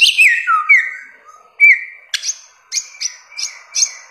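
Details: Samyong, or bare-throated whistler, from Flores in Nusa Tenggara, gives long sliding whistles dropping in pitch, then a run of short sharp high notes repeated at steady intervals.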